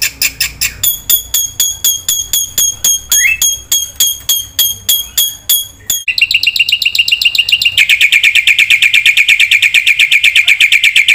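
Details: Black-winged myna giving a rich 'gacor' training song for birds that have gone quiet: steady rapid ticks with one upslurred whistle, then a quick pulsing trill that speeds into a long, even chattering run.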